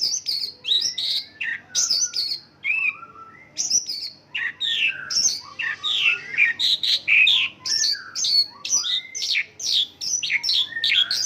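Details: Dense, jumbled isian lokalan song of a Mongolian lark mimicking local birds: busy mixes of chirps, slurs and buzzy notes, with brief pauses between bursts.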